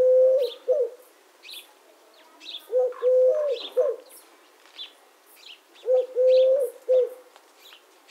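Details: Eurasian collared dove cooing in a repeated three-note phrase, a short coo, a long drawn coo and a clipped final note, given roughly every three seconds; faint high chirps of other small birds in the background.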